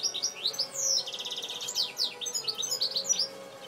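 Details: European goldfinch bred in captivity the previous year sings a fast, tinkling medley of sweet chirps, buzzy trills and quick upward slurs, with a brief rattling trill near the one-second mark.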